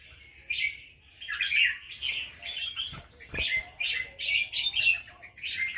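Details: Red-whiskered bulbul in Loei province, Thailand, delivering counted-phrase (nap dok) song: lively, liquid, warbling phrases in rapid succession, with a couple of sharp knocks midway and light background hiss.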